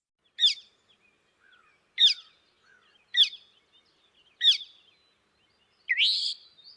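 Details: Northern Mockingbird, which repeats each note several times before switching, sings a sharp, high, slurred note four times, about one every 1.3 seconds, then changes to a different buzzy phrase; no other sounds.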